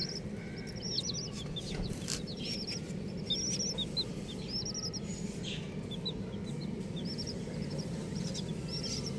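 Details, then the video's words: Colourful baby chickens peep in bursts of rapid, high, arched notes, several chicks calling at once, over loud steady low rumbling and occasional clicks. "Colourful Baby Chickens | Cutie Chicks Chirping Sounds"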